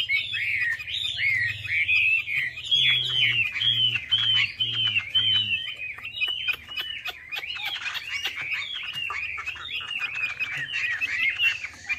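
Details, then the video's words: Chinese hwamei delivering a continuous rich lure song of looping, warbled whistles that rise and fall without pause, with a brief series of low pulsed tones in the background early on. "PANCINGAN WAMBI MACET"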